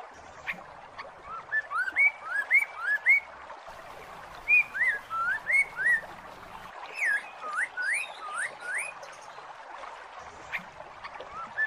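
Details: Song of a masked laughingthrush, played to coax a bird that has stopped singing: series of clear rising whistles repeated in brisk groups, each phrase slightly varied, over a soft hissy background.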